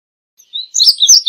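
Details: Indigo bunting singing a brief burst: a thin high whistle followed by several quick, bright slurred notes crowded together, lasting under a second.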